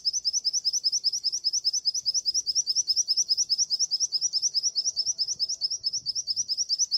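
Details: A white-eye, a top competition-class G12/G16 training-recording bird valued for loud, long, dominant song, sings a long unbroken stream of very high, thin chirping notes in quick, steady succession; finding: white-eye.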